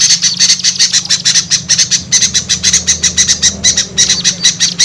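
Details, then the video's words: Small birds, in a lure recording to attract small birds, give sharp, rapid twittering chips repeated many times a second, a bright continuous chatter with a steady low hum beneath. "SUARA PIKAT AMPUH UNTUK BURUNG KECIL SUSAH TURUN"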